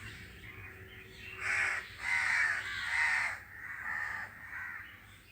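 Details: A crow caws in a rapid series of five harsh, grating calls, the first ones loudest and the rest fading, over a quiet background.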